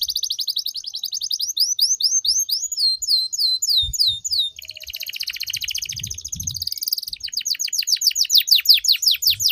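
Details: Canary master song for training birds, with full fill and luxurious phrasing: rapid, high, continuous trills of sweeping chirps in varied phrases, shifting between slow swept notes and fast rattling rolls, with faint low thumps.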